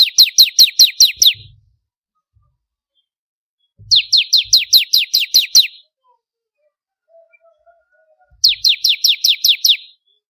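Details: Bar-winged prinia, crystal ciblek variety, kept for training songbirds: three bursts of about seven rapid, sharp descending whistled notes, each burst lasting under two seconds, separated by pauses of two to three seconds.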